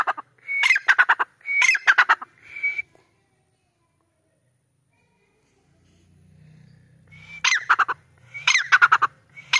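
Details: Black francolin calling: two harsh, rattling bursts of rapid clicking notes, then a shorter grating note, a few seconds of quiet with a faint low rumble, and two more loud rasping bursts at the end.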